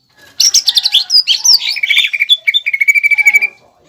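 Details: Contest-style greater green leafbird master song with a pelatuk bawang fill: a jumble of swooping high notes runs into evenly repeated pulses and ends on a sustained whistled tone.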